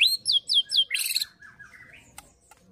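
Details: White-rumped shama (murai batu) in fighter-style song meant to provoke other shamas into full singing: three loud descending whistled slurs, then a burst of harsh, dense notes trailing into softer rising chirps.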